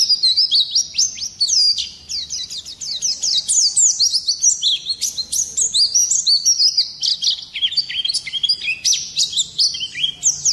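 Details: Oriental white-eye in full, rolling song to provoke singing in other birds: an unbroken stream of very high, rapid chirps and sharp downslurred whistles, energetic and jumbled throughout.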